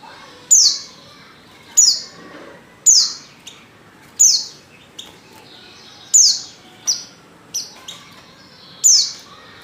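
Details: Female white-eye in heat calling a male, used to stimulate male birds: short high descending chirps repeated roughly every second, each a sharp downward sweep, with quiet background between notes.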